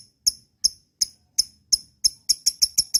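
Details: Lovebird producing crisp, very high clicking chirps, evenly spaced at first, then quickening into a tighter run of sharp notes.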